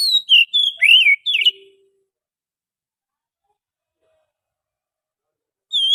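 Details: Forest Oriental magpie-robin singing as a catching lure. Opens with a burst of mixed whistles, a level note and a deep swooping slur, then falls silent, and a single whistle returns at the close.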